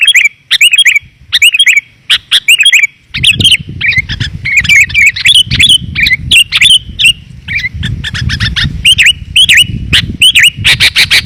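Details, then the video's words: Sooty-headed bulbul calling for luring wild birds, clear and dense: repeated bright chirps and short looping whistled notes in fast succession, joined after a few seconds by a steady low rumbling background. "Suara Pikat Burung Kutilang Rapat dan Jernih"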